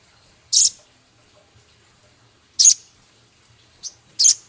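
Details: Male Javan cochoa, a kept songbird in a training recording, gives short, harsh, high chattering bursts with the song of the Scarlet minivet woven in, four bursts spaced one to two seconds apart over a quiet background.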